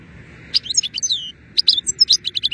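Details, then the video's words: In pleasant weather a European goldfinch delivers lively twittering phrases: a run of sharp, tinkling notes and downslurred whistles, a brief pause, then more rapid chirps in steady succession over faint low hum. "Gūzel havada şarksını sergileyen saka kuşu"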